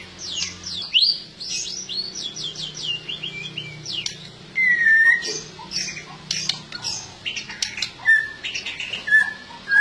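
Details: White-rumped shama (murai batu) song, somewhat quieter: a run of rapid high chips and short notes, followed by scattered clear whistled phrases and clicks.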